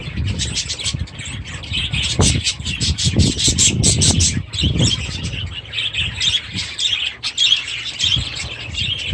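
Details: Kept budgerigars and their chicks in an aviary give a lively mix of high chirps and harsher squawky notes, with bursts of wing flutter and thumping mixed in.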